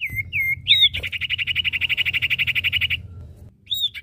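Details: Common iora pair, male and female, singing: a few looping whistled notes, then a long steady buzzing trill of about ten pulses per second, fading before a final high note.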